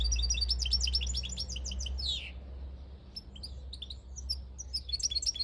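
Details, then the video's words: European goldfinch singing in the countryside in 2022: a fast, dense tumble of high twittering notes ending in a descending sweep. Quieter scattered chirps follow over a low background rumble. "Jilguero campero"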